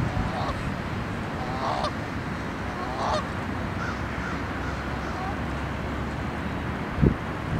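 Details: Canada goose at the Milwaukee, Wisconsin lakefront, in a mating context, gives three or four nasal, slightly rasping honks about a second apart over low rumble, with a sharp knock near the end.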